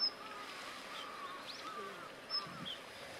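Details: Daurian redstart on a clear, sunny 24 November 2013, cold in the shade, giving two brief, thin, high whistled call notes about two seconds apart, with faint softer bird sounds and a steady outdoor hiss behind.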